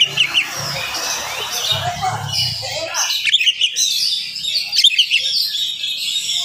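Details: Morning singing of an oriental magpie-robin at fast pace, to rouse listening magpie-robins; high chirps and twittering notes, with background rumble fading after the first few seconds.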